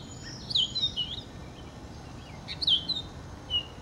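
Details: Purple finch singing two short warbled phrases about two seconds apart, bright slurred notes rising and falling in quick succession over a low rumble of background noise.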